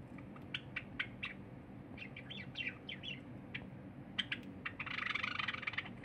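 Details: Pet cinnamon Java sparrow singing, 23 January 2021, a silver Java sparrow eating quietly nearby; clicky notes and short wavering trills build into a fast, buzzy rattling phrase near the end.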